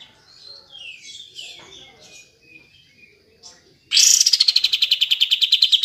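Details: Kapas tembak bulbul, aimed at coaxing lazy birds to sing: mixed whistles and chirps of other birds at first, then a loud, fast, steady series of sharp repeated pulses lasting about two seconds.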